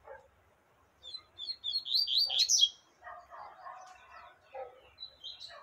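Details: Female yellow-bellied seedeater calling to stimulate a male: a quick series of high, thin chirps that grow louder and denser over about a second and a half, then softer, lower warbling notes and a final high chirp.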